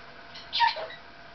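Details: Captive Maximilian's pionus chatting at home with its owner lets out one rough, buzzy squawk that slides downward, then falls quiet.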